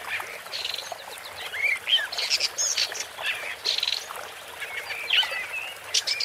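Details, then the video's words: Woodchat shrike singing: a varied, scratchy run of short chattering notes mixed with brief whistled slurs and rising squeaks, delivered in irregular bursts with small pauses, over a faint hiss. "Woodchat Strike (Lanius Senator) Bird Song"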